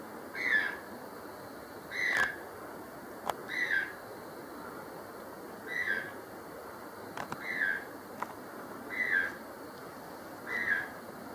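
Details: Repeated yelping calls of a White-throated toucan in secondary forest of Acacías, Meta, Colombia: eight downslurred notes spaced about one and a half seconds apart, with scattered sharp clicks and taps between them.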